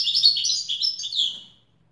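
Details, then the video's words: European goldfinch singing in Widani style: a short, dense stream of liquid, chattering twitters that lasts about one and a half seconds. "تغريد ويداني أصيل"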